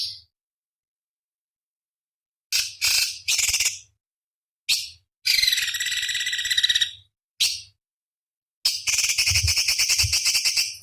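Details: Cucak cungkok, a small songbird used as master song for competition birds: scattered high chips, then long rasping rattled trills of rapid pulses lasting over a second each, with brief quiet gaps between bursts.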